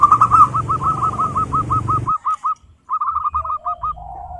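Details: Local wild zebra dove singing a rapid series of short rolling cooing notes, about a dozen per phrase, with a pause and then a shorter second burst; low rumbling background noise under the first half.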